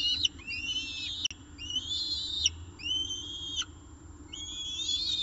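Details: Peregrine falcons at a nest during the evening meal, at 6:51 pm on 18 October 2018, recorded by a nest camera in Orange. Loud whistled, wailing calls, each slurred and dropping at the end, come in long drawn bursts about a second apart.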